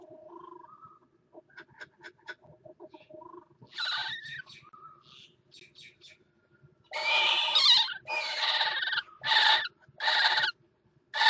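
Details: Northern goshawk pair at a nest box on the Axel water tower, 5 February 2018, mating on the ledge: soft whistles and short sharp chips build into a run of loud, raspy, screeching calls repeated in quick bursts.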